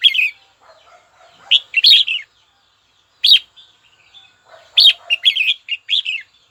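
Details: Captive red-whiskered bulbul singing to draw a rival, short bright warbled phrases separated by silences, the last burst a quick run of four or five lively notes; soft low chatter in the gaps.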